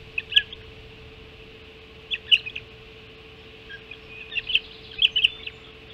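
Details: Ospreys on Hog Island calling at the nest while being fed at 05:20 on 7 July 2016: bursts of shrill, whistled chirps in three groups separated by short silences.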